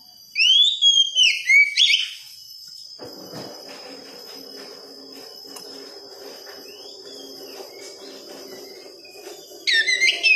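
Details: Oriental magpie-robin song used to coax a young, untrained bird into singing the wikplong style: loud clear whistled phrases sweeping up and down in quick bursts for about two seconds, a long hushed stretch with low background hum, then another sharp whistled burst at the end.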